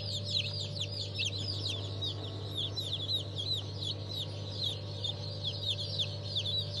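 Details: Hatchling chickens, a mixed batch including Legbar and Rahibe, hatched 27 March 2023. A thick wall of thin, descending peeps from many chicks continues throughout, with a droning mechanical hum underneath.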